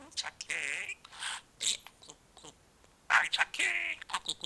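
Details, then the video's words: Pet male budgerigar, twelve months old, chattering to himself and mimicking words in Korean and Japanese. Rapid, high, scratchy speech-like babble comes in bursts with short pauses between them. "Talking Parrot 말하는 사랑앵무(잉꼬) しゃべるセキセイインコ"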